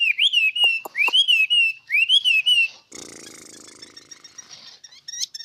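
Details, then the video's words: A songbird singing in the 'xoay' style: loud, clear whistled phrases that rise and then level off, repeated about once a second, followed by a dense, buzzy, scratchy passage and a few short high notes. "Chim hót xoay"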